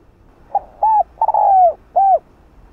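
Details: Spotted dove at midday gives four soft, low coos in under two seconds: a short note, two rounded ones, and a longer drawn-out coo, over quiet background hum.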